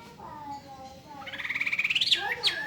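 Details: ['Hwamei singing a rapid, pulsing trill that climbs steadily in pitch, then breaks into sharp upward-swept whistles, after a soft low warble.']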